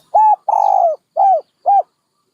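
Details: One complete dove phrase: a rounded hoot, a long buzzy coo dropping at its end, and two short arched notes, evenly spaced in quiet surroundings.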